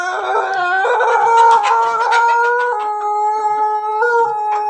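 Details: Pelung crossbred with Bangkok and Ketawa chicken, Jogja, in the afternoon: one long, loud, drawn-out crow with rich harmonics, holding level notes that step down gradually over nearly five seconds.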